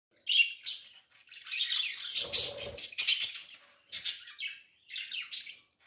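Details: Newly hatched budgerigar chick in a flock giving thin, high, raspy chirps in quick bursts with short gaps; a brief low rustle sounds midway.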